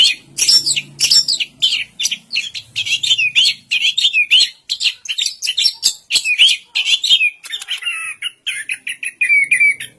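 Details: Rapid, energetic song of an Orange-headed thrush: fast chains of sharp chirps and slurred whistles, rising and falling, repeated in tight bursts, ending with drawn-out descending whistles.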